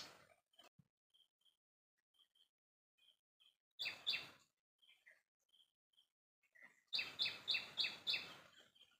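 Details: White-browed fantail (Rhipidura aureola): soft, short high notes scattered in a quiet pause, broken by two loud harsh chattering bursts, then a rapid run of about six rasping notes near the end.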